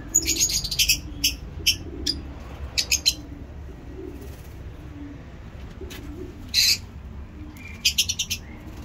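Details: Caged lovebirds kept for breeding chirping: scattered sharp high chirps in short clusters with quiet gaps, plus softer low murmurs and steady background hum.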